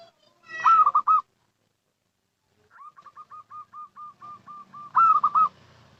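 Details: Zebra dove, local type, uttering a lure call: a loud rolling trilled phrase, a pause, then about a dozen short soft coos in quick succession ending in another rolling trill, faint low rumble behind.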